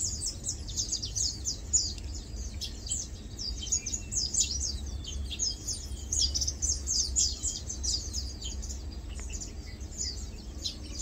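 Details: Lowland white-eyes chilling, feeding and preening keep up rapid, irregular high thin chirps, dense at first and thinning toward the end, with a low steady hum behind.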